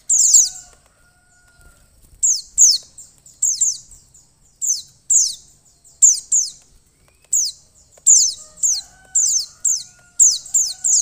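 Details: Female mountain white-eye calling to excite and spur a male into singing: bursts of high, thin, descending chirps, often doubled or tripled, repeated steadily with short pauses, over faint soft tonal hums.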